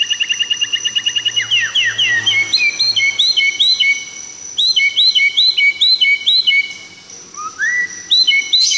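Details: Tangse, Aceh white-rumped shama song, opening with a fast trill of repeated notes, then bouncing two-part whistled phrases repeated over and over, a brief quiet rising whistle, and more looped phrases; a constant high tone persists.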